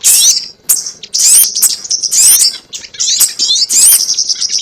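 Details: Sogon call for luring birds into traps, shrill rapid twittering in phrases of about half a second, with sharp upward whistles mixed in.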